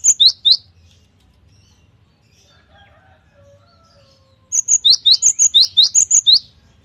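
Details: Cinereous tit in full 'gacor' song, bursts of rapid high piercing two-note whistles, each rising then dropping, repeated in quick series. A short burst is followed by near-silence with faint soft notes, then a longer burst of about ten phrases.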